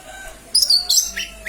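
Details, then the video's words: Lesser green leafbird calling, used as a lure: sharp high chirps and whistled notes, a bright burst around half a second, another at one second, then shorter descending notes. "Pancingan suara cucak ijo mini/ijo mini memanggil"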